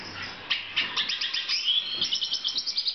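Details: Black siskin recorded in 2014 in a breeding context, singing a fast, high twittering song of clipped chirps and short trills, with bursts repeating several times a second and one longer, smoother rising note in the middle.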